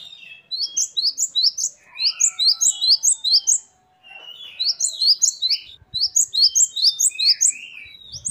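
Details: Gelatik batu, or great tit, in full varied song. Rapid chains of bright, high, upslurred notes repeat about twice per second in short runs. Quieter lower notes appear between phrases, and faint thumps come near the end.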